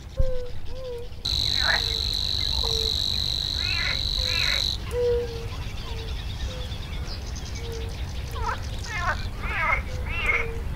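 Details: Savi's warbler in a reedbed, giving a continuous high mechanical reeling trill for about three and a half seconds, then stopping; around it come short low piping notes and bursts of harsh chattering from other callers.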